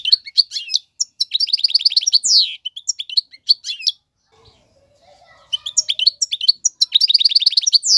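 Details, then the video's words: Male European goldfinch tutoring song: high twittering notes and rapid buzzy trills with a downward slur, a quieter pause with faint low background sounds, then renewed chirping and trilled phrases. "اقوى تغاريد الحسون, مقنين فحل لتعليم الفراخ"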